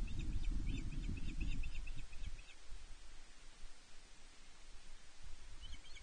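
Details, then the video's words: Female osprey at Loch Arkaig Nest One, 31 May 2023, demanding fish from her mate on nest camera: a fast series of around ten high, sharp chirps under heavy wind rumble, a few faint notes closing. "Affric (Blue 152) demands and gets fish from Prince on Loch Arkaig Osprey Nest One"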